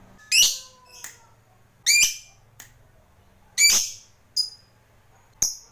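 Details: Fighter lovebird, a hobbyist's bird, giving short, harsh, high squawks in bursts about every two seconds, with a few thin whistled notes between them in a quiet room.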